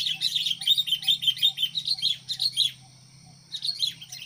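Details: Sooty-headed bulbul decoy for provoking fights with wild birds utters a rapid run of bright chirps, about five per second, pauses briefly, then resumes; faint low hum throughout.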